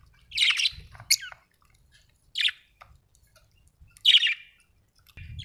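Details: Happy budgerigar chirping and singing: short, sharp, high chirps in separate bursts, about four across five seconds, with quiet gaps and a faint low rumble between them.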